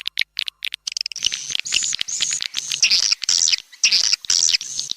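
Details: Raja Kalimantan swiftlet lure sound from Borneo for attracting swiftlets: a few quick clicks, then a steady stream of high buzzy chirruping notes pulsing about twice a second.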